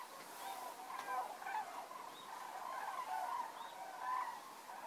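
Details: Evening arrival of common cranes at a roost in Federow, Germany, October 2018. A dense, slightly distant chorus of trumpeting calls, with a few clearer rising calls standing out above the flock.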